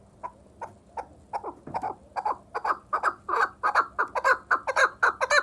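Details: Vanj chukar partridge giving a chattering series of harsh chuk notes that start spaced and soft, then grow louder and faster into a steady, insistent rhythm of about two notes per second.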